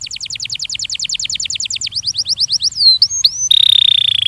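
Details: Belgian canary training song: a fast series of repeated descending notes, about eight per second, shifting into varied slurred and hooked whistles, ending in a steady, buzzy high trill.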